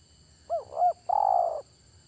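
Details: Spotted dove used as a trapping lure: two short hooked cooing notes, then a long rolling coo, mid-pitched, clear over a quiet background with faint low hum.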